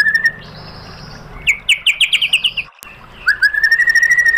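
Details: White-rumped shama song used as a lure to make a bird answer. A sustained whistle gives way to a quick series of sharp descending chips, then a rising whistled trill that holds steady to the end.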